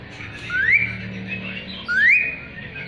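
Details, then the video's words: Asian pied starling in active song, used as song material for magpie-robins: two clear rising whistles over a noisy background. "Jalak suren gacor isian murai batu auto nyaut"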